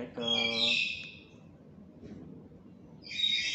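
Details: Harsh, high, nasal squawk from a tame black-capped lory kept as a talking pet, lasting under a second, with a low voice-like syllable beneath it, then quiet before a second screechy call begins.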